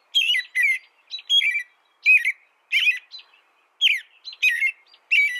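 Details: American robin singing: short whistled, slurred phrases, mostly falling, delivered in quick bursts separated by brief pauses, about eight phrases in five seconds, with no other sounds.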